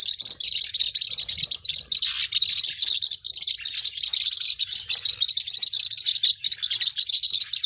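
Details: Forpus parrotlets, small hook-billed parrots: a dense, continuous wash of high, thin chirps and tweets overlapping throughout, with rapid twittering and no pauses, suggesting several birds calling together.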